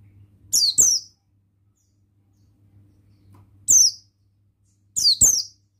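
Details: Sparse song from a male buxtoni Oriental white-eye: paired high, downward-sliding whistles, then a single note and another pair after long pauses, over a faint hum.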